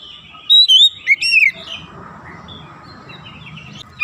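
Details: Oriental magpie-robin on a training recording for young birds, meant to speed them toward dense 'nembak rapat' singing. A short phrase of loud, clear whistles is followed by quiet background hiss and faint twitters.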